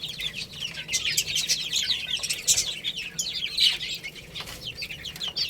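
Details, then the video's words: Baby chickens playing and eating: a crowd of chicks gives dense, overlapping high peeps that slide downward, nearly continuous, with scattered sharp clicks and taps underneath. "Cute Little Chicks Chirping Sounds| Baby Chicken Playing and Eating"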